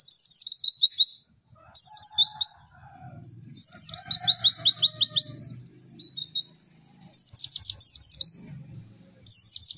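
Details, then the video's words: White-eye training song made of energetic high chirping phrases and rapid trilled sequences of repeated sliding notes, broken by brief gaps, over a faint low background rumble. "MASTERAN PLECI TERBARU PALING AMPUH CEK CEK WERR"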